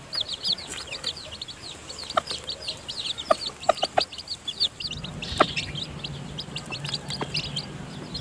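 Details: Chicks freshly hatched in a hen's nest peep continuously in high, sliding notes as their mother feeds them, with scattered sharp taps and a low hum in the background.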